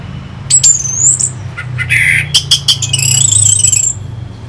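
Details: Orange-headed thrush song used to stimulate fighting birds: varied high whistled and scratchy phrases with sharp sweeping notes, some buzzy bursts, over a low background hum.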